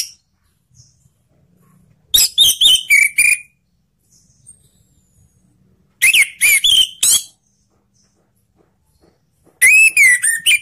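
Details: Orange-headed thrush song used to stimulate stuck thrushes: three spaced bursts of rapid, varied whistles and chattering notes, each phrase about a second long, separated by several seconds of near silence.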